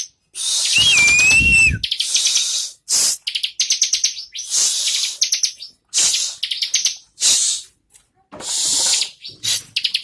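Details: Bar-winged prinia song in short, choppy bursts of very high, rapid ticking notes, opening with a brief whistled slur and broken by frequent pauses.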